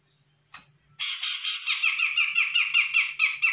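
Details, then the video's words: Young Sumatran grey-cheeked bulbul answering a lure call: one scratchy note, then a rapid, continuous chattering run of buzzy, wavering notes about three per second. "CUCAK JENGGOT SUMATRA GACOR - CJM BAKALAN AUTO NYAHUT"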